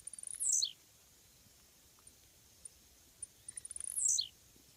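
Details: Blue-black Grassquit song: two short, very high buzzy notes that drop sharply in pitch, about three and a half seconds apart, with faint scattered ticks between them over a quiet background.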